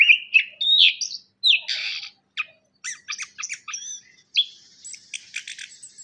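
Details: Orange-headed thrush song used as a lure for caged thrushes reluctant to sing: varied whistled notes, then a rapid series of sharp, clipped chips and high twitters, loud at first and fading.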